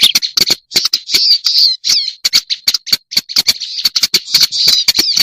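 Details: Scratchy, chattering phrases from a black-browed reed warbler used as a lure recording, with a few downward-slurred squeaky notes and clicking ticks between bursts.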